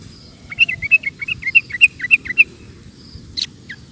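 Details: Sooty-headed bulbul, audio meant to tutor caged birds: about a dozen quick, evenly paced chirps, each with a slight upward flick, followed by a lone harsh note and a thin whistle.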